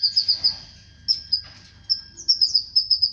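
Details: Canary voice from a song said to trigger mating with the female: short bursts of high chipping trills separated by pauses, with soft rustles between phrases.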